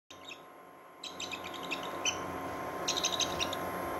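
A newly hatched Bonelli's eagle chick gives thin, high peeping chirps in short scattered bursts over a soft steady hum.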